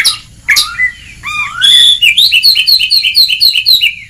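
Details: White-rumped shama training song in ngeplong style, used to stimulate lazy birds: sharp opening notes, then a fast run of repeated falling whistles, about four per second.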